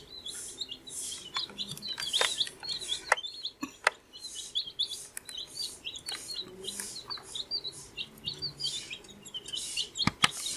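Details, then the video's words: Chorus of 14-day-old baby chicks: steady high peeping chirps, rising and falling, from many birds together, with rustling, scratching and several sharp clicks and taps. "Baby Chicks Chirping Sound"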